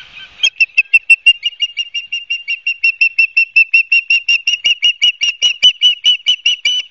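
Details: An osprey at a nest at Barnegat Light, New Jersey, at 16:34 on 12 September 2022, gives a long, steady run of shrill whistled chirps, about three or four a second, all on one high pitch, with nothing else heard.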